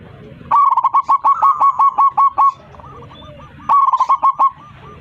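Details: Local zebra dove singing with a big voice while calling its flock: two loud bursts of rapid, evenly spaced coos, about a dozen in the first and shorter in the second, with a fainter rolling phrase between them.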